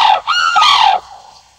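A sarus crane gives a loud, brassy trumpeting call: a short opening note, then a longer, slightly falling blare lasting under a second.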